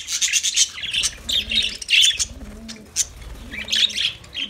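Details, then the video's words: Lovebirds singing: clustered bursts of harsh high chirping and squawky chatter separated by brief gaps, with soft low cooing notes faintly behind. "Lovebirds Sounds Lovebirds Singing"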